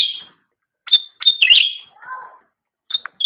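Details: Master training recording of cucak rante for pet songbirds: bright piping notes lead into a rich, warbling chatter, followed by a lower, softer phrase and more sharp high notes.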